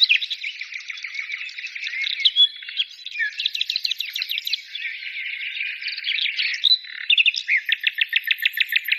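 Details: Busy birdsong with overlapping twittering and warbled phrases, a few clear rising whistles, and a closing series of evenly spaced sharp chirps repeated roughly three times a second.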